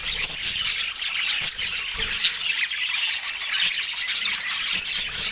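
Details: Pet parakeet during its morning feed in autumn daylight, producing busy, rasping chatter punctuated by thin squeaky notes and quick squawks.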